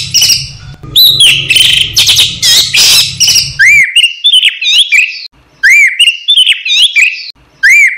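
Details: Orange-headed thrush song kept as a training recording for caged songbirds: a dense, harsh, squawky medley, followed by clear upslurred whistles repeated roughly every second, with a low hum early on.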